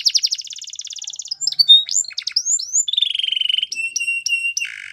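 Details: Belgian canary training song, starting with a rapid rattle, then scattered whistled slurs, a steady rolling trill, spaced clear whistles and a closing buzzy burst.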